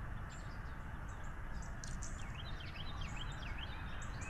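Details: Bald eagle pair meeting at the NCTC nest on 01/12/2023, tidying the nest as the male arrives with a fish; a quick series of thin, high chirps, each rising then falling, over steady hiss and low rumble.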